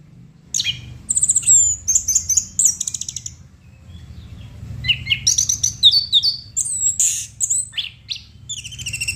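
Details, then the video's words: Chestnut-capped thrush in full gacor song, pouring out fast strings of piercing high trills and whistles, then a quiet gap before another burst of varied chirps and slurred notes. "Burung Anis Kembang Gacor"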